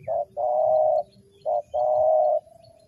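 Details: Spotted dove call played to lure wild birds into a trap: two matching phrases, each a short coo followed by a long, even, throaty coo, with a low hum underneath.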